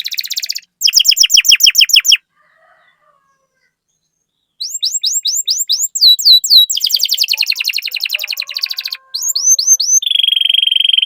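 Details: Chatty canary song used as a master recording to get other canaries singing: fast buzzy trills, a pause, then rapid repeated down-slurred whistles about four per second, rattling rolls and a steady closing trill.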